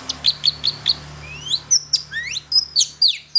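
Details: Long-tailed shrike lure song for prompting other shrikes to sing: rapid high chirps, then rising and falling whistled slurs and sharp clipped notes, over a steady low electrical hum.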